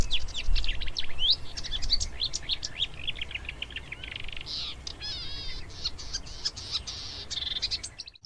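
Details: Marsh warbler, whose song holds imitations of other birds, singing a long, dense, rapidly changing medley of sharp chirps, rising whistles, buzzy rattles and trills, almost without a pause, over a faint low hum.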